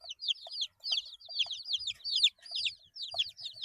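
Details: Group of 8-day-old baby chickens chirping nonstop, shrill descending peeps tumbling over one another, with soft clicks and faint low rustling in the background.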